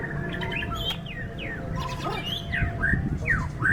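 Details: White-rumped shama at a song contest in strong wind gives spaced, clear downslurred and upslurred whistles, a few every second. Heavy low wind noise underneath.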